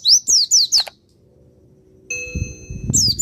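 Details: Javan white-eye of the Pacitan type, a master recording meant to rouse other birds: four rapid, piercing down-slurred chirps, a silence, then a steady chime-like ringing tone with one more chirp and low knocks.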